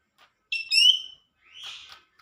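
A leafbird gives a loud, rich whistled phrase of two quick notes, then a short, harsh, buzzy chatter after a brief pause.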